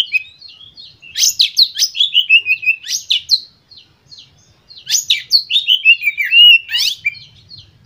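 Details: White-rumped shama song for stimulating other birds: two long loud phrases of rapid, varied whistles and sharp sweeping notes, separated by a brief quiet gap.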